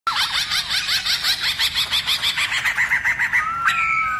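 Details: Black-throated laughingthrush singing a many-voiced forest-style song, used to stir other laughingthrushes to sing and dance; a fast run of about fourteen rhythmic buzzy chattering notes, then a long steady clear whistle.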